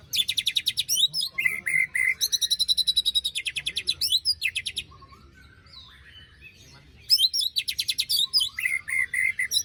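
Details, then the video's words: White-rumped shama giving harsh rasping phrases, recorded as a lure for a bird silent after moult: long fast buzzy rattles mixed with burry whistled notes, a pause of about two seconds, then the rattling resumes. "Pancingan murai batu macet bunyi paska mabung terbaru besetannya bikin ngilu!!"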